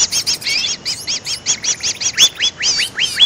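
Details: Greater green leafbird lure sound for attracting birds: steady rhythmic high double chirps, then near the end a quick series of clear whistled notes dropping in pitch, overlapping the chirping.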